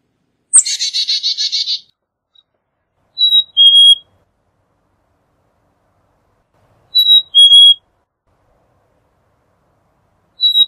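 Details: Black-capped chickadee calling and singing: one buzzy chick-a-dee series of rapid harsh dee notes, followed by clear two-note whistled fee-bee phrases, the second note lower, repeated about every four seconds in an otherwise quiet setting.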